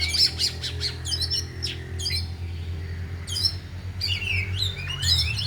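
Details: Afternoon training of four oriental magpie-robins, each singing its full repertoire: bursts of sharp chirps and buzzy notes, then falling whistled slurs, separated by short gaps, with a low continuous hum beneath.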